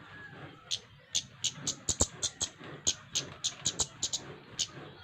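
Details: Flowerpecker sounds played to coax other birds into singing: a quick run of thin, high, clicking ticks, about sixteen in five seconds and slightly uneven in spacing, with low background noise.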